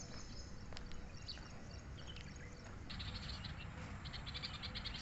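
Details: Sparrows and other birds give quick, high chirps in a busy run during the second half, over a steady low rumble of background noise.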